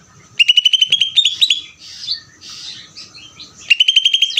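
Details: Greater green leafbird ngeder song with a quick rattling series of sharp, ringing notes, a middle stretch of softer scratchy warbling, and then another fast burst of clipped repeated notes.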